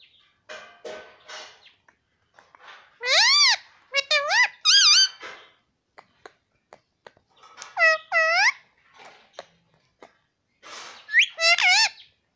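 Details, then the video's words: Talking pet parrot repeating "mummy" and "papa" indoors: three bursts of loud, harmonic, wavering syllables, swooping up and down, spaced about four seconds apart, with scattered clicks and soft chatter in between. "parrot talking || nonstop talking mummy papa"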